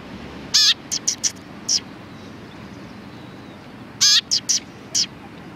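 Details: Cute sparrows chattering on 31 October 2019; a full harmonic chirp opens each of two phrases, followed by several short bright chirps, the phrases about three and a half seconds apart.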